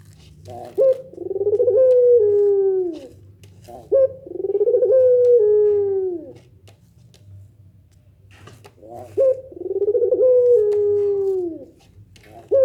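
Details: Pelung nangguk coos from a Barbary dove, a call said to make other doves answer; three long, low, drawn-out coos, each with a quick rising start, come roughly every four seconds.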